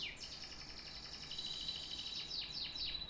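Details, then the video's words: Canary singing a fast, bright rolling trill of many tiny high notes, ending in several sharp downward-swooping whistles. Soft background hiss. "The best tweets of a canary bird"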